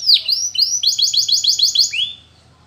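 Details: Flute-singing Russian canary used for training young birds: swooping whistled notes lead into a quick run of sharp repeated syllables, closing with a falling whistle, then quiet.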